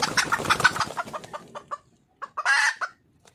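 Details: Hen of the red junglefowl seeking a male: rapid clucking fades and slows, a pause follows, then a single loud, grating squawk flanked by a couple of clucks.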